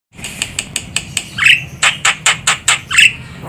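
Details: Javan myna used as a lure bird for trapping: a run of sharp, harsh clicking notes roughly every fifth of a second, with two rising squawks mixed in.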